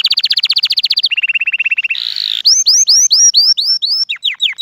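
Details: Flawless canary singing meant to teach young birds and excite males and females toward mating. A rapid high rolling trill drops to a lower pulsed roll, then sweeping whistled notes repeat several times per second.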